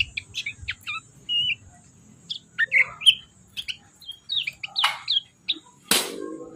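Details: Yellow-vented bulbul 'ciak ciak' calls: varied short chirps, whistled slurs and twittering notes in quick irregular groups, ending with a sharp click-like crack and a brief noisy rustle.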